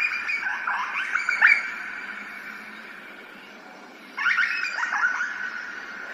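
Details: Australian grey butcherbird in an ambisonic surround recording: two separate bursts of rich, slurred, melodious notes, about three seconds apart, with a quieter gap and a faint continuous hum between them.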